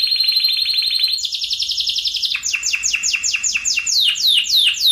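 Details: Spanish Timbrado canary delivering tight rolls, a master recording for other canaries; a steady fast trill steps up to a higher trill, followed by repeated bright notes sliding downward in quick succession.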